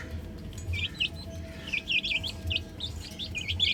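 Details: Chicks playing on a roof chirp in soft, high peeps that build toward a busier stretch of overlapping notes, a steady low hum and faint tone behind them.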